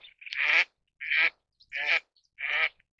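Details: Four loud, harsh, nasal quacks from an Eastern spot-billed duck (Anas zonorhyncha), each about a third of a second long and spaced under a second apart, with no other sounds.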